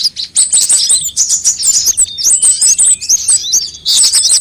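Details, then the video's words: Sunbirds of different kinds, played as a lure to get birds singing: fast, high-pitched chips and tinny trills repeated several times per second, with thin descending slurs and a short dip before a final loud burst. "suara pikat semua jenis burung kolibri"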